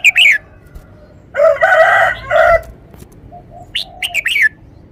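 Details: Red-whiskered bulbul kept as a cage bird, performing a clear, bright song with each phrase emphasised: opening whistled chirps, then loud harsh buzzy bursts, followed by soft low notes and a closing run of sharp, rising fluty whistles.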